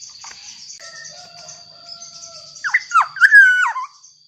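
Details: Black-naped oriole singing as a lure for other orioles: faint level whistled tones first, then a loud rich fluty phrase of swooping, liquid notes, with a constant high tone in the background.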